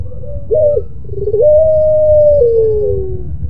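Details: Moaning, melodious song of a pelung Barbary dove: a few short wavering notes lead into one long sustained coo that steps down and fades slowly, over a faint low hum.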